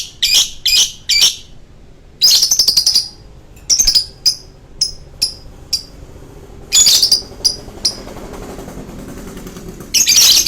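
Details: Lovebird giving its long choking song: sharp, high chirps in short bursts separated by pauses, several quick notes clustered together, then a brief ringing burst at the end.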